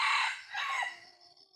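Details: Junglefowl crowing at close range: a loud, harsh, harmonic opening burst, then a second drawn-out phrase that bends downward and trails off, the whole call fading within about a second and a half.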